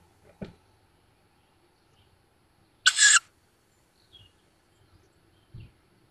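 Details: Young Tawny owls, just fledged, at a wild woodland nest near Szokolya, Hungary, on 7 May 2022, picked up by a nest camera: one harsh, breathy hiss of about a third of a second, with faint soft knocks before and after.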